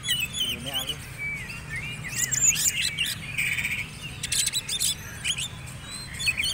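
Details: Singing Oriental magpie-robin from a competition's black-and-white class gives fast, scratchy high phrases, buzzy rattles and whistled slurs in clustered bursts, with faint talking behind.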